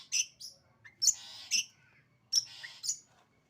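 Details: Long-tailed shrike singing 'sembur' style: harsh extended rasps broken by sharp high chips, a few bursts over three seconds with quiet gaps between.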